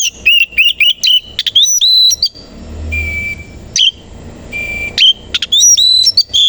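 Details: Oriental magpie-robin singing in the morning while displaying with its tail open: rapid bright whistled phrases and sharp chips, broken by long flat whistled tones, loud and varied throughout.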